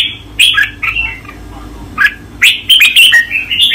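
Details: Red-whiskered bulbul master song for training: loud, bright whistled phrases of quick slurred notes, rising and falling, in bursts with short pauses and a final busy run.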